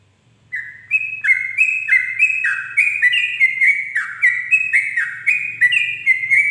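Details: Sooty-headed bulbul (Pycnonotus aurigaster) singing at dawn: a rapid, bubbly song of bright chirped notes, each dipping slightly, tumbling out about three to four per second over a faint low hum.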